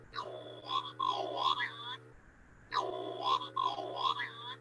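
Scopoli's shearwater female calls: two harsh, lower-pitched, chaotic wailing bursts of about two seconds each, separated by a brief pause, over a steady low hum.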